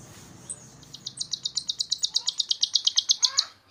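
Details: Fast, even series of bright, clipped high notes, about eight per second, from a talkative myna used to train other songbirds, ending with a short downslurred whistle.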